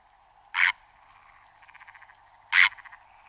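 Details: Purple heron in Ebro Delta Natural Park, Tarragona, Spain, in June 2011, giving two short, harsh, hoarse croaks about two seconds apart over a steady background chorus of trilling frogs or insects.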